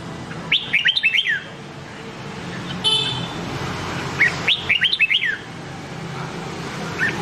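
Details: ['A red-whiskered bulbul singing in the Nam Đông style, used to train the voices of other bulbuls. Two quick bursts of bright, bouncing whistled notes come about four seconds apart over a constant noisy background hiss.']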